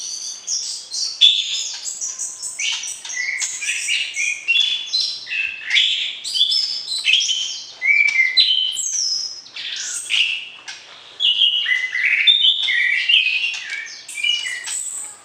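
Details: Long white-rumped shama song performed during pairing to arouse a mate before breeding; rich mix of whistles, rising slurs and rapid chirping phrases in bursts, with brief breaks between sections.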